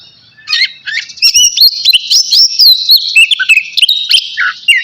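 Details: Navy-type oriental magpie-robin in full song ahead of a bath; after a quiet half-second it bursts into fast, varied whistles, swooping slurs and clicky notes, packed closely together.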